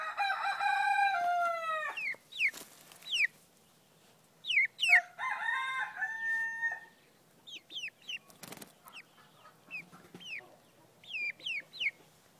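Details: A male blue-mottled-white Frizzle Pekin bantam rooster gives a short, falling crow, then a second crow a few seconds later, while small birds chirp in quick, sharp slurred notes and a brief clatter sounds.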